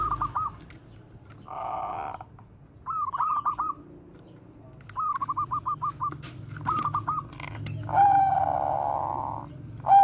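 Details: Zebra dove of Bangkok stock, koar-koar bekur song used as a lure for other doves. Several runs of quick stuttering coo notes, separated by pauses, with a longer buzzy coo near the end.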